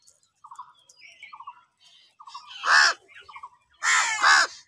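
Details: Crows fighting for food: loud, harsh, hoarse caws, one mid-clip and a doubled burst near the end, preceded by soft, short, repeated chirps from smaller birds in the background.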